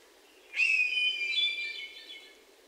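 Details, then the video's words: A hermit thrush in Sudbury, Massachusetts, on 29 June 2023, among other birdsong, gives one ethereal two-second phrase: a clear, high held whistle dissolving into shimmering, flutelike overtones before fading. "Hermit Thrush & Other Birdsong"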